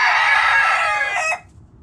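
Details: Backyard rooster giving a loud, rough, buzzy crow held for about one and a half seconds, dense with harmonics, ending sharply into near silence.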